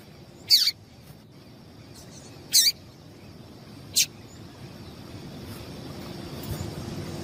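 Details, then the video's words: Female yellow-bellied seedeater call used to excite males: three separate high, sharp chirps about two seconds apart, the last one shorter, followed by quiet background hiss. "Melhor Piado de Fêmea de Papa capim Para Esquentar Papa capim"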